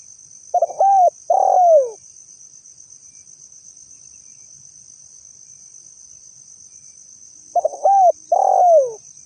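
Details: Lure call of a spotted dove: two cooing phrases about seven seconds apart, each with short choppy notes and two drawn-out coos, the second dropping at its end, against a thin continuous high-pitched buzz.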